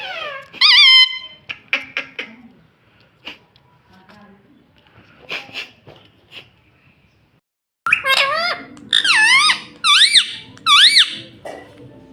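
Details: Talking pet ringneck parrot: a loud bent squeak at first, a stretch of soft human speech, then a burst of repeated wavy, whistled squawks roughly once a second.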